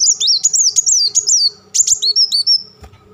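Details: Black sunbird in crecetan and tembakan style: dense, very high, stuttering runs of wavering whistled notes, loud and close, broken by one short gap midway, over a faint low hum.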